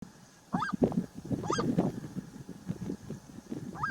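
Red-legged seriema opening its song with loud, yelping notes that rise then fall, about one per second, mixed with low, honking clucks.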